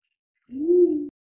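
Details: A pied imperial pigeon (Ducula bicolor) gives one deep, hollow coo, rising slightly then holding steady for about half a second, against silence.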